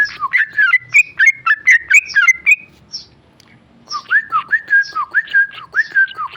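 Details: Ropel song from a tame male sooty-headed bulbul: a fast string of sharp whistles, a pause of about a second, then a run of lower, looping, slurred whistles repeated evenly.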